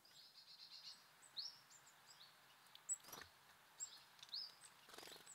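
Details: Birds at a feeder outdoors give a few sharp, high chirps that slur upward, mixed with soft overlapping twitters from several callers, short rustling bursts and constant background hiss.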